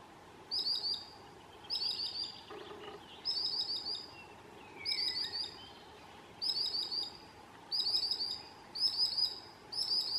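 A sandpiper gives high, thin, clipped notes in short bursts roughly every second, over a steady background hiss with one faint descending whistle.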